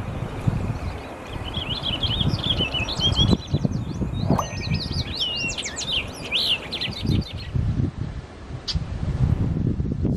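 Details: Orchard oriole song, a fast jumble of sharp whistled slurs and chattery notes delivered in a long burst between roughly one and seven seconds. Steady low rumbling background noise and occasional knocks run throughout.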